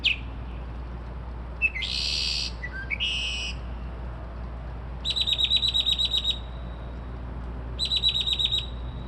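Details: Bird singing at 2:30-3:00am, copying car alarms, sparrows and more; a varied run of phrases: a short whistle, harsh buzzy bursts, then two long, fast, mechanical-sounding trills of repeated high notes, over a low hum.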